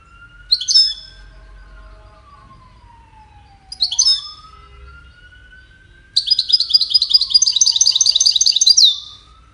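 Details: Goldfinch, whose song serves courtship and communication: two short sharp chirp bursts, then a sustained buzzy rattling trill of rapid notes, all over a steady wailing siren rising and falling in the background.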